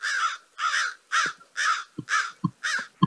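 An American crow gives six harsh, hoarse caws in quick succession, about two a second, with soft low thumps between them.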